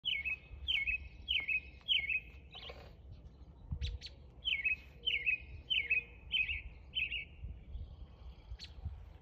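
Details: A male American robin calling for his mate gives two runs of four or five sharp, high chirps, each dropping then levelling off, against a low background rumble.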